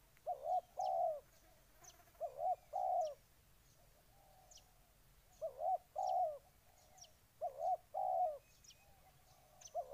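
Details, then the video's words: Spotted dove, Ninh Thuận, Vietnam, giving paired low coos in bursts separated by pauses of a few seconds, with softer fainter coos between and sharp high ticks from other birds. "Cu gáy Ninh Thuận"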